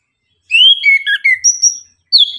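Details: An orange-headed thrush (anis kembang) sings in the morning: a quick run of varied, clear whistled phrases, some rising and some falling, then a short pause before a final slurred note. The background is quiet.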